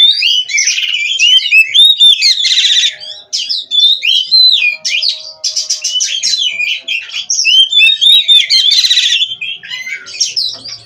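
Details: Oriental magpie-robin bred in captivity, singing nonstop in a varied stream of whistles, slurred sweeps and harsh buzzy rattles, phrases packed closely with brief dips in loudness.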